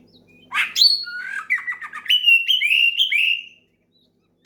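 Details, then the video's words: Oriental magpie-robin singing loudly to provoke a rival and other singers: a sharp high note, then a descending whistle and a sequence of rising whistled slurs stepping upward before silence. "SUARA KACER MEMANGGIL LAWAN NGEPLONG KERAS BIKIN KACER LAIN IKUT GACOR"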